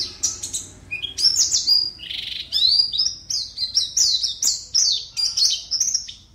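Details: Caged white-eye from Pontianak, West Kalimantan, Indonesia, singing in an online songbird competition. The song is a rapid, high, continuous twittering of sweet chirps and warbled trills with short slurred notes, phrases running back to back with brief gaps.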